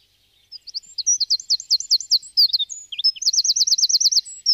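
Eurasian wren pouring out loud, very high, rapid trills and sharp chattering notes in quick bursts, with no other sounds around.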